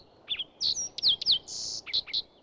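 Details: Green-tailed towhee singing in a gooseberry-filled shrubby opening at high elevation near the top of Mount Pinos, California: a quick, varied phrase of sweet slurred whistles and chips, ending in a burry trill and two bright notes.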